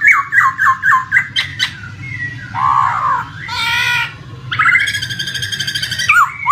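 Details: Poksay (laughingthrush) lure track for birds that have stopped singing: a series of downslurred whistles, then harsh buzzy squawks and a loud rasping burst, with continuous running water behind.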